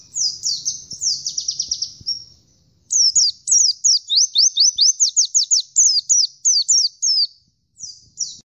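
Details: Oriental white-eye singing in the persistent, vigorous gacor style: rapid runs of high, thin, sharply down-slurred whistled notes, a short burst followed by a longer string of about twenty notes with brief gaps, over a faint low rumble.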